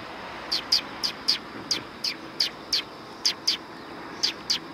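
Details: Tree sparrows gathering to be fed at a Tenmangu shrine, 9 September 2020, giving bright, sharp chirps, often two in quick succession, repeated irregularly against a quiet background.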